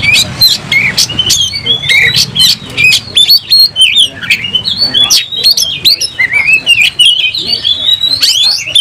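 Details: Oriental magpie-robin in strong song during a fight, tail opened and emotions high: loud snapping clicks mixed with fluty rising and falling whistles, phrases pouring out rapidly almost without a break.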